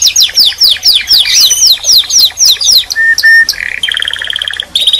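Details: Canary song with rapid downslurred whistles, two long flat piping tones, then a buzzy rattling trill and a final burst of sharp notes.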